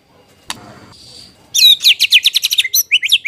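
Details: White-rumped shama lure song meant to make other birds answer and to serve as a tutor: a short rustling noise, then a burst of quick, high, downward-slurred notes in a rapid chattering series.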